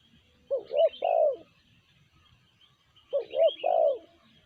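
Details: Spotted dove (tekukur) in sanji voice giving two loud phrases: quick double hoot then a sustained, slightly falling coo, separated by a pause of about two seconds. Light twittering of other birds behind.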